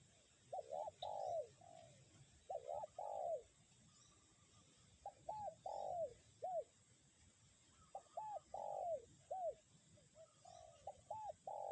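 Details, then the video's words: Decoy spotted dove keeps cooing despite strong wind, 'kuk 1' style: repeated phrases of two or three short arched notes and a longer falling coo, some ending with an extra clipped note, over steady wind rumble and a high whine. "angin kencang pikat tetep bunyi kuk 1"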